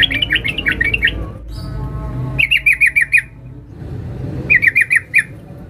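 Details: Female sooty-headed bulbul calling a male, used as a lure: three bursts of fast, bright, scratchy notes, five to seven per burst, with short pauses between them.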